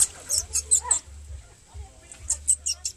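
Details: Three thrush chicks on the ground wanting food give rapid, very high, thin squeaky calls in two bursts, with a low steady hum underneath.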